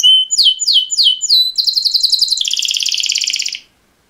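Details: Male canary mating call song: four sharp descending swept notes, then a loud, fast rolling trill that drops slightly in pitch before stopping abruptly into silence.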